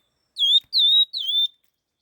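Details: Fast-style 'hót kích nhanh' song of a laughingthrush: three ringing whistles in a row, each dipping slightly then steadying, the last a little softer, with nothing else audible.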